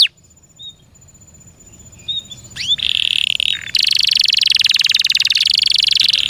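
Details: Kept canary singing: a few soft, scattered chirps and a rising sweep, then a loud, dense, high buzzing trill that runs steadily from about three seconds to the end, with a brief pause partway through.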